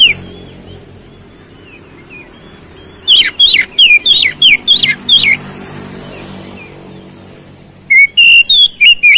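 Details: Oriental magpie-robin singing as a provocation lure for fighting birds. Soft quiet whistles lead into a burst of six or seven loud, rising and falling whistled notes. After a pause comes a second quick burst of bright notes.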